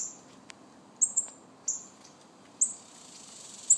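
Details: Thin, high, downslurred chips from baby northern cardinals, five notes in under four seconds, two of them close together, over a quiet hiss with one faint click.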